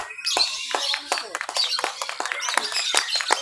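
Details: Lovebird at a mixed class B practice singing competition in Mimika, Papua, on 31 October 2021, giving long ngekek chatter while creeping along the cage bars: dense, rapid, high-pitched squeaky chirps and trills running continuously without pause.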